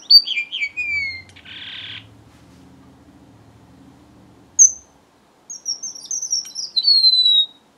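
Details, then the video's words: Strawberry finch song: a few sweet high descending notes, a brief hiss and a low rumble, then after a pause a clear string of high whistles ending in a long falling slur. "BENGALI ROJO - STRAWBERRY FINCH SINGING"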